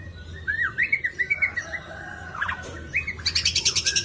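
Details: Jakarta-held white-rumped shama delivers rising and falling whistled notes, a brief rattling burst, then a fast series of harsh, buzzy repeated notes at the end, over faint low background hum.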